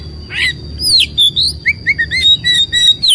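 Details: Agitated Oriental magpie-robin, puffed up and spreading its tail, gives a quick series of short whistled notes, roughly three per second, with a steady high tone and low hum behind.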